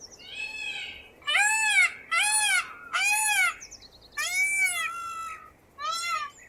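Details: Screeching calls of an Indian peafowl in 8D audio: a rapid run of three loud, arched, wailing notes, then two more after short gaps, each harsh and richly layered, with a high thin squeak between them.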